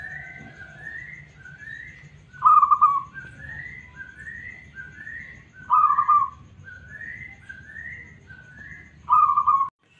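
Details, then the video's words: Local zebra dove with a smooth voice, kept as a responsive singer to prompt other doves: three loud, trilled coo bursts spaced about three seconds apart over a steady series of higher rising whistles from another bird and a low hum. "PERKUTUT LOKAL SUARA MULUS 💯% Nyaut..."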